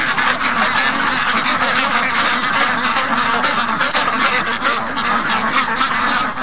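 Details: A flock of young domestic ducks, day 55, restless and noisy in the morning after waiting for their late-sleeping keeper; continuous loud quacking from many birds, rough and overlapping without a break.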